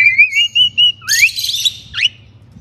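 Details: Pet crested myna kept in captivity as breeding season nears: four short, clear whistled notes at a fairly steady pitch, then a rising whistle under a harsh, buzzy burst, ending with one more quick rising whistled sweep.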